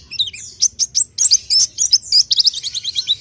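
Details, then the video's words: Orange-headed thrush, locally called pelci, in its main song: rapid run of sharp high whistled notes and chirps, many short slurred phrases closely spaced, some rising and falling, with a faint low hum beneath. "kicau main burung pelci"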